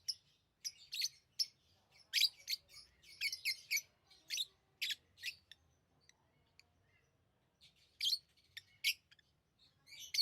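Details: Lovebirds chirping over about ten seconds. Many sharp, clicky, high squeaks come in rapid clusters, with a quieter lull in the middle before the chirping resumes.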